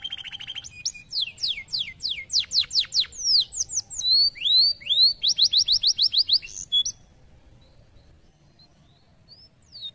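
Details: Canary opening with a buzzy rattle, then a run of rapid descending whistles, looping rising slurs and a quick series of rising notes, followed by about three seconds of near silence with faint chips.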